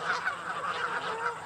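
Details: Greylag geese in Great Britain give a quick run of nasal, brassy honks, roughly five per second, over a steady background hiss.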